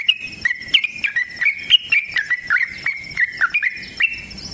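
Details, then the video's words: Sooty-headed bulbul, called trucukan, delivering a rapid long fighting song. Mellow, bubbling whistles alternate higher and lower in a brisk, unbroken chatter lasting over four seconds. "TRUCUKAN GACOR TARUNG ROPEL PANJANG"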